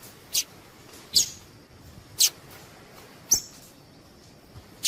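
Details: ['Female double-collared seedeater piping to make a male sing: bright, abrupt high-pitched chips roughly once a second, four or five in a row, with a quiet background.']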